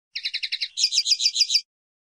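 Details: Common linnet (pardillo or pajarel) singing two quick trilled phrases: about seven evenly repeated twittering notes, then a brighter, higher series of seven notes, with no background noise.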